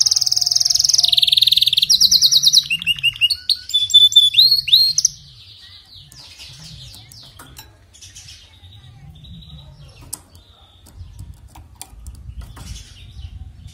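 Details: Canary singing, meant to coax a canary that sings poorly: loud buzzy trills and rising whistled notes for about five seconds, then only faint scattered chirps over low background hum.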